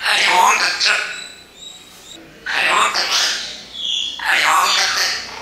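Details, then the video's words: A talking parrot mimicking human speech gives three groups of rapid, raspy word-like syllables, separated by short quiet gaps, over a low steady background hum. "can you find out what is this Parrot saying?"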